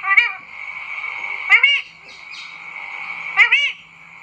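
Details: Talking parrot eating an apple: three loud, nasal, arched squawks, each doubled, at roughly two-second intervals, over a steady thin whine.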